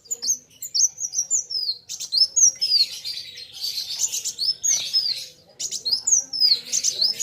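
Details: Kolibri wulung sunbird in full, vigorous song while facing an equally vocal rival; thin, very high whistled phrases slurring down and up, with short buzzy bursts and a second bird answering.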